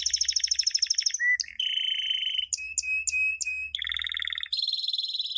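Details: Canary chick-training song: a rapid high trill, a brief low note, a steady buzzy roll, clipped notes over a held tone, then lower and higher pulsed trills, with faint low hum beneath.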